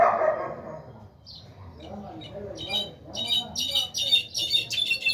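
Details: One of six caged brown-backed solitaires, 2020 season: a man talks at first, then the bird breaks into fast, high, ringing whistled notes that grow louder and denser, repeated in quick pulses near the end.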